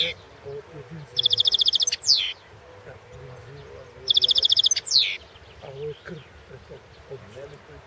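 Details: Caged European goldfinch of the Balkan form recorded for a 2016 online world championship in goldfinch song in Serbia; bright high phrases of rapid buzzy trills, each ending in a sweeping downslurred note, two bursts about three seconds apart, low hum and murmured speech behind.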